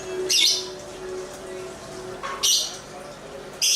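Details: Lovebird, shown dancing, gives three separated harsh, shrill squawks over a steady low hum and faint chatter.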